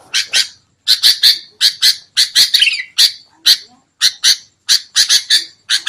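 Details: Sooty-headed bulbuls in a noisy recording used as a lure to trap birds: loud harsh chirps come in quick pairs and bursts, about sixteen in six seconds, with brief gaps between groups.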